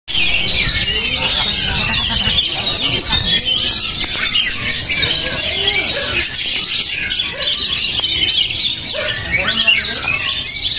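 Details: Oriental magpie-robin (kacer), described as a promising, high-spirited, steel-nerved bird, singing a dense, fast stream of high chattering and whistled notes without pause; scattered lower chirps and faint voices lie beneath.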